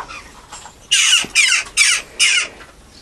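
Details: A rescued baby jackdaw, found in a road and cared for at a South Devon rescue centre, gives four harsh, raspy begging squawks, about two a second, while hungrily waiting for scrambled-egg breakfast; faint background hum.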